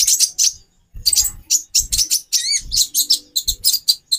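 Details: High, scratchy chirps from a female brown-throated sunbird (konin), meant to arouse the male's breeding drive, come in short clusters with a few warbled, wavy notes and soft low thumps.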